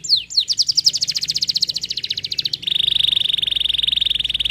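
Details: Canary delivering a few falling whistles, then a long run of rapid pulsed notes at a high, steady pitch, switching to an even faster, smooth trill at a slightly lower pitch.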